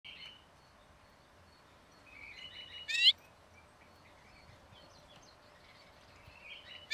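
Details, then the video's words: A Lesser Redpoll at bird-watching hides in Emmen gives thin, high chattering calls in short bursts, with one sharp louder note midway and another at the end, against a quiet background. "Kleine Barmsijs"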